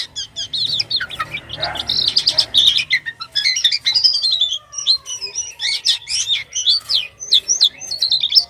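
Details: Strange, energetic song of a white-vented myna: rapid jumbled high chirps, squeaks and slurred whistles poured out almost continuously, with scattered harsher notes and a faint low hum.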